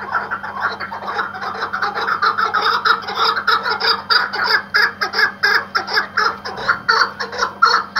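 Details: Iraqi white hunting partridge used as a decoy, its calls building from a soft mutter into loud, clipped, rhythmic cackling notes repeated in quick succession.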